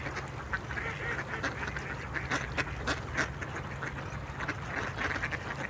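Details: Mallard ducks quacking in short, raspy, repeated bursts over a steady low rumble and constant background noise.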